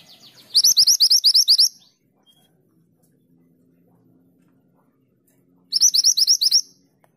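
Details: A female bushchat calling to a male gives two bursts of about nine rapid, high, sharp chirps, each lasting about a second and five seconds apart, over a faint low hum.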